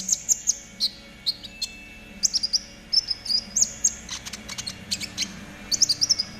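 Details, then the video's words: Konin, trotol variety, sung as a master for training caged birds: clusters of high piercing chirps and short whistles, rapid clicking bursts midway, steady low hum throughout. "TERAPI KONIN TROTOL AGAR CEPAT BUNYI || MASTERAN KONIN TROTOL GACOR"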